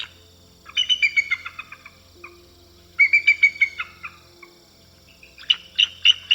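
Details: Bald Eagle (Haliaeetus leucocephalus), Canada's national symbol, seen in aquatic and coastal areas, giving high, thin piping chatters: quick runs of six to eight squeaky notes slipping downward, repeated in three bursts over a faint low hum.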